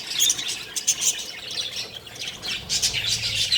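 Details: Budgerigar chicks together in a single nest within a budgie colony give harsh, scratchy squawks in quick overlapping bursts, with sharp peaks near the start and a busy, continuous chatter throughout.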